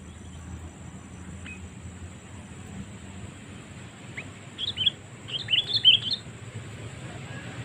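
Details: Sooty-headed bulbul lure call used to draw wild birds for trapping: after quiet background, a burst of bubbly, chirping notes comes in the second half, with a steady high hiss throughout.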